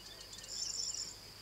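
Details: Eurasian wryneck nestlings in a nest box in Bulgaria in 2016 beg during feeding with a high, continuous hissing buzz that swells briefly and then fades, with no other clear sounds.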